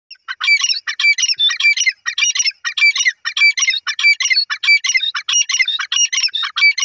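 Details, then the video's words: Francolin calling in the morning: loud, dense series of harsh, squeaky notes with short whistled accents, repeated rapidly and overlapping almost without pause throughout, in an otherwise quiet setting. "teetar awaaz morning"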